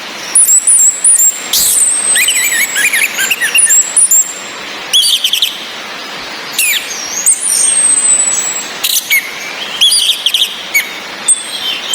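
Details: Orange-headed thrush female calls meant to raise breeding drive in males that only twitter softly. Bursts of sharp high chirps and short rising whistles come in clusters, separated by pauses filled with constant rain-like hiss.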